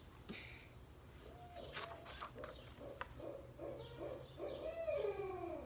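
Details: Captive Barred Owl a few enclosures away, outdoors on a fine day in the Twin Cities area, Minnesota, calls in the background: low rhythmic hoots ending in a drawn-out sliding note; brief clicks and a nearby voice.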